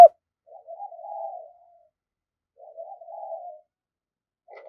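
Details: Spotted dove used as a decoy to call in wild doves, heard softly: two low, mellow coo phrases about two seconds apart, each rising then holding steady, then the start of another.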